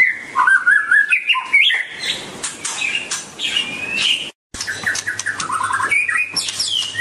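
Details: White-rumped shama described as dancing and singing pours out a rich, varied song of wavering whistles, descending trills and sharp clicks, with a brief silent break midway, then more rippling phrases and high sweeps.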